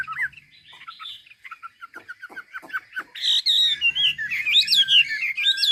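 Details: Hwamei from Ha Giang, Vietnam, singing naturally as a training example: soft short chips and clicks build into a loud burst of rich, looping whistled phrases that rise and fall.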